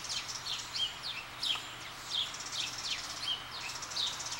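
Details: A rescued baby blue jay that fell out of its nest gives short, high, downslurred chirps, repeated roughly every half second, over a faint steady background hum.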